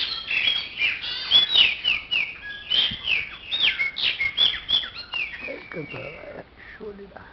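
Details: Loud, rich song of a Chopi blackbird: a rapid, varied stream of clear whistles, slurs and chirps, several notes each second. It tapers to softer, lower, warbled notes at the end.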